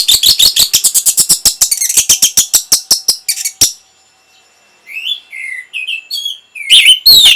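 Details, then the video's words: Orange-headed thrush singing to raise breeding mood and prompt a reply. A long, rapid series of loud, evenly repeated sharp notes that slowly fades, then quiet whistled slurs and a final loud outburst. "NYANYIAN BURUNG PUNGLOR PEMBANGKIT BIRAHI AGAR KENCENG"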